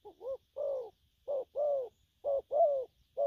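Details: Spotted dove, a young bird, giving gù phóng and gù lăn săn coos: deep, slightly falling notes, each clipped short coo followed by a long drawn-out one, repeated three times with brief pauses, in a quiet room.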